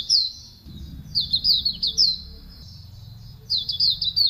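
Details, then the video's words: Javan white-eye song used as a training recording for other birds: high, thin chirping phrases of quick falling notes in bursts with short pauses, over a faint low hum. "Masteran Suara Burung Pleci Auriventer ampuh 100% - suara burung masteran terlengkap"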